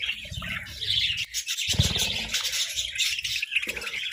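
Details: Several pet budgerigars squabbling playfully over food and treats; dense continuous chirping and warbling chatter with bright squeaky notes throughout, plus low thumping and rustling underneath.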